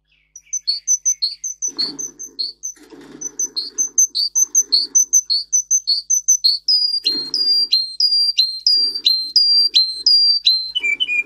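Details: Russian singer canary singing a training song: rapid bursts of high chirped notes, several per second, interrupted by soft low rustling noises, then a run of loud whistles that slur downward and end in lower warbles.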